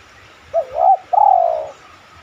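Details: Single spotted dove coo phrase from a lure recording that makes other doves coo: a short rising-and-falling double note, then a longer, steady coo easing slightly downward.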